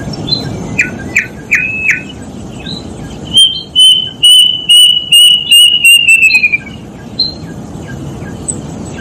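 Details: Plaintive cuckoo: a few short chirps lead into a steady series of around ten clear whistles, each slightly lower than the last and quickening, ending in a short falling slur, then faint background chirps.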